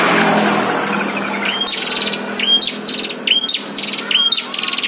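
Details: Prinia song from a fierce fight between a caged bird and a wild bird, used as training audio. A noisy broadband rush opens, then high sharp notes repeat, each followed by a buzzy rattling trill, about once a second.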